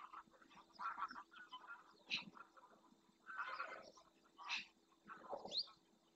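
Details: In the marshland of Doñana National Park, Spain, a small group of Eurasian magpies forage for invertebrates before a fixed camera. Rasping, noisy bursts come roughly every second or two, mixed with lower chattering notes from other birds.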